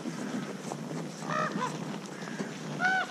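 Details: Common raven (Corvus corax) gives three short, hoarse, nasal food-associated 'haa' calls, used to recruit other ravens to a food site such as a boar carcass, over steady rushing wind.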